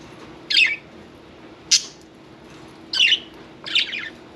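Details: Four brief, harsh squawks from a pet budgerigar at bath time, spread over a few seconds with quiet pauses between, against a faint room hum.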